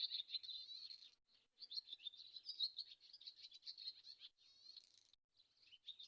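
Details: Swallow pouring out continuous high twittering with buzzy trills and squeaky notes, pausing only briefly a few times across the passage.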